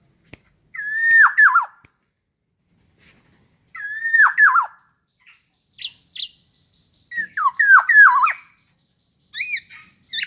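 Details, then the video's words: Black-naped oriole, a hand-raised tame bird kept as a pet, sings loud, varied fluty whistled phrases with slurred downward notes, in bursts every few seconds separated by short pauses. "Kicauan Keras kepodang jawa Berfariasi."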